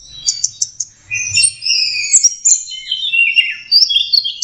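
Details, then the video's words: Orange-headed thrush youngster practising song: a few quick high chips, then a continuous jumble of warbled, sliding whistles mixed with harsher squeaky notes. "anis merah belajar kicau"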